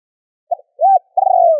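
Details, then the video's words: Spotted dove giving a lure call meant to provoke wild birds: a brief soft note, a full arched coo, then a long buzzy, throbbing note that trails off lower, clean with no other sounds. "Cu gáy gù - thúc - gáy gọi kích bổi nhanh nổi"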